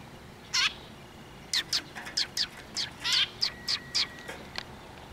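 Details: Sparrows coming close to be fed at a Tenmangu shrine on 9 October 2023: a series of short, sharp high chirps, about ten in five seconds, with a faint steady tone near the end.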